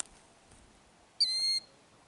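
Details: Piercing single whistle, loud and steady for about half a second, from a killdeer protecting eggs in its ground nest with a faked-injury display near Kananaskis, Alberta, Canada; otherwise near silence.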